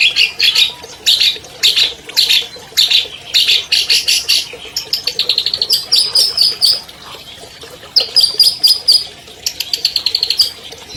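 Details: Champion albino long-tailed shrike, a captive bird, singing a long, clear, varied song used to coax silent shrikes into singing: rapid bursts of high chattering and scratchy notes, then runs of sharp ticking notes and thin whistled phrases.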